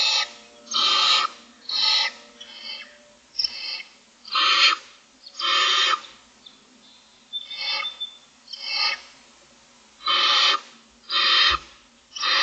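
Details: A dense run of about a dozen harsh, snoring hisses from Barn Owl owlets, six in the nest and looking for food on the morning of day 25, overlapping at times.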